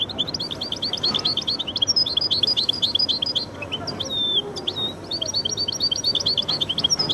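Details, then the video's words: Goldfinch × canary hybrid singing a long, fast, unbroken song of high, sharp chirps and short trills, with a few rising and falling whistled slurs, continuing throughout against a faint low hum. "هجين ويداني ممتاز"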